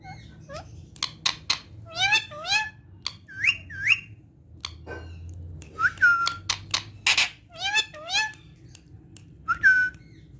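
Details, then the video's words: Talking parrot kept indoors, presented as saying 'Mian Mithu Gee' in Urdu and Hindi, gives irregular clicks, raspy bursts and curving harmonic whistles, with a pause midway, then a flurry of ringing whistled notes and a final sharp whistle. "Amazing Talking Parrot Saying Mian Mithu Gee In Urdu Hindi"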